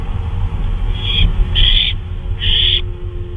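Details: Night owl calling on May 26, 2013 at 2:39 AM during a flyabout: three raspy hissing screeches, the last two louder and longer, over a steady rumbling background.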